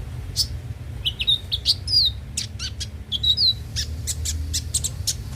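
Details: Konin, the brown-throated sunbird, heard as a singing lure: thin whistled slurs and sharp high chips mixed in quick bursts, with a steady low hum in the background.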